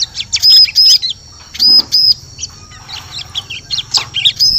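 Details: High, arched chirps of a bar-winged prinia, a call used to lure birds in the forest. Short pairs and triplets are mixed with scratchy, busier twittering and quieter background chirps.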